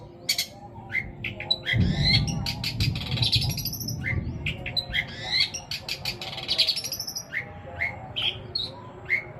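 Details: Long-tailed shrike with long mimicked phrases in greja petir and kuntilanak style, used as a trigger for quiet shrikes. Sharp chirps and sweeping whistled slurs, with a low rumbling noise in the background.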